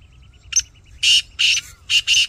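Black francolin giving a harsh, grating call: a short clipped note, then four loud rasping notes in two quick pairs. A faint ticking pulse sounds in the background.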